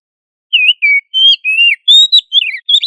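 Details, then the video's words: Oriental magpie-robin (kacer) in vigorous gacor song in ngobra style, played as a master to train other magpie-robins to sing loudly; clear whistled phrases, some rising and some falling, about eight short notes in under three seconds over a quiet background. "Suara Burung kacer Gacor Ngobra untuk Melatih Kacer agar Plong Keras"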